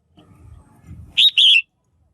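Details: A female red-whiskered bulbul gives one clear two-note chirp, the second part wavering and falling, a call meant to rouse males or attract a mate; soft low murmuring noise precedes it.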